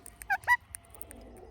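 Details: Indian ringneck parrot chirping naturally: two brief, loud calls, the first clipped and the second a slightly longer downward-bending squawk, then faint scattered ticks and low background hum.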